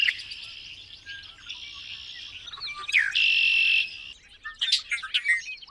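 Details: Birdsong with a dense high chatter that gives way to a loud, steady whistled note held for under a second, followed by scattered sharp chirps and short trills.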